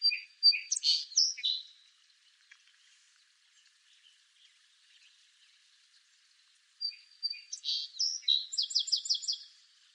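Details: Two songs from a song sparrow. The first is a short run of bright notes and slurred phrases. After a pause, a fuller version ends in a rapid trill of five or six crisp repeated notes.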